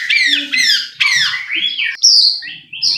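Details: White-rumped shama song played to provoke another bird into singing: loud descending whistled slurs repeated about every half second, followed by varied higher whistles and short warbled notes.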